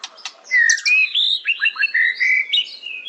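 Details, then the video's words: A white-rumped shama sings clear, fluting whistled phrases that slide up and down, with a few quick chirps between them. "Beautiful Birds Chirping Murai Batu"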